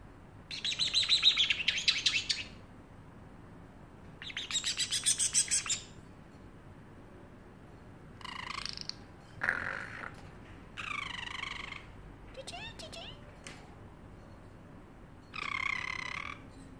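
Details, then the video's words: Pet parrotlet in a cage making funny sounds: two long, loud, buzzy, rasping chatters, then a run of shorter squawks, nasal squeaks and a final harsh harmonic call, fairly clear over quiet background. "parrotlet making funny sounds and meowing like a cat"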